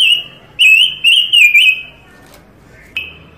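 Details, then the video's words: Panca Warna bird singing a varied song used for training other birds and luring them for trapping: a long sustained whistle, then several warbling whistled phrases in rapid succession, a pause, and one more sharp whistle. "Burung Panca Warna gacor"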